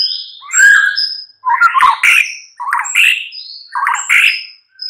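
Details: Murai batu (white-rumped shama) morning lure song: four bursts of lower, throaty warbling mixed with high whistles, each about a second long and separated by brief gaps.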